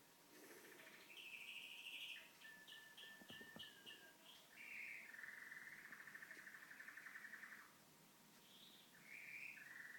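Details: Pet canary singing indoors while a television plays; high whistled phrases and fast trills, one tour dropping into a long buzzy rattle, then rising sweet notes, over a faint steady hum.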